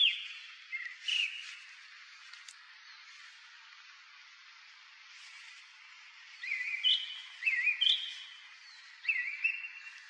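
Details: Song thrush singing from the top of a tall pine beside a former railway crossing guard's booth near Zarechny, on the road to Krasnye Ozyora, after six in the evening on 3 April 2023; loud whistled phrases, several repeated in quick bursts, separated by pauses.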